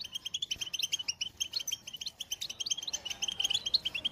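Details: European goldfinch singing a fast, twittering song of short bright chirps and trills, bunched in quick runs with brief pauses; the background is quiet.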